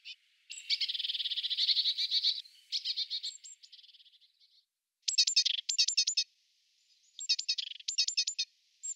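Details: European robin in courtship, the male feeding a female that begs with trembling wings; a long buzzy trill and shorter fading trills, then after a pause clusters of rapid, sharp, repeated high notes.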